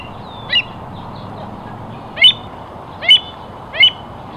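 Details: American avocet giving four sharp, high, ringing notes with a harmonic edge. One comes early, then three follow after a pause, spaced under a second apart, over a steady low rushing background noise.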